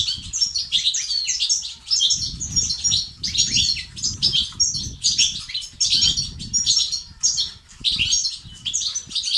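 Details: Goldfinch song, batbata and stastat style, used to encourage males to sing and be active: lively bursts of sweet twittering and quick trills in rapid succession, with soft fluttery low sounds between phrases.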